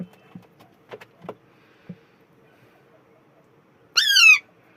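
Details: Alexandrine parakeet call: after several soft knocks and clicks, one harsh, raspy squawk near the end that drops steadily in pitch over about half a second.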